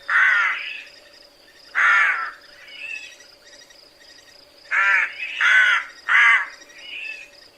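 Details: Rook calling with harsh, throaty caws, single then in a quick cluster of three, plus quieter raspy notes, with a steady background hum.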